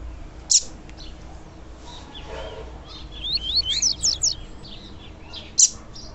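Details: A female double-collared seedeater gives a call used to excite males: two sharp, high chips about five seconds apart, with a quick run of thin rising chirps between them.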